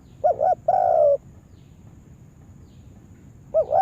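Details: Decoy spotted dove used for yard trapping: one phrase of a wobbling double coo and a longer mellow coo, then a pause of over two seconds before the next phrase begins.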